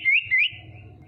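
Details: Female common iora used as a lure for rivals: two quick rising whistles, each swelling then fading into a thin held tone.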